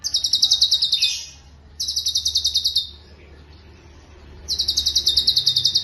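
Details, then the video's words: Cucak cungkok singing, a bird kept as a vocal master for training other songbirds, in a fast rolling style: three bursts of rapid buzzy trilled notes, each about a second long and high-pitched, separated by short pauses. "Irama LaguNYA Jelas , Roll speed, Tembakan Rapat"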